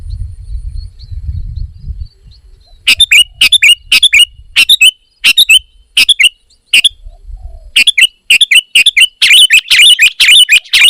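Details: Sooty-headed bulbul in lively voice, calling in bursts of repeated chirpy notes, about two per second, pausing briefly, then speeding into denser, harsher chatter at the end.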